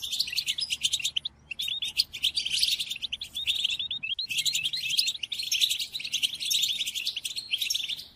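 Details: Tutoring song for captive European goldfinches during moult: long, lively stream of tinkling notes and buzzy rattles, broken by short silences near one and a half and four seconds.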